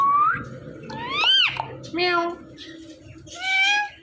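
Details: Talking Indian ringneck parrot at home: a short whistle, a loud arching squeal-like syllable, then several nasal, speech-like utterances of varying pitch, with faint household noise behind.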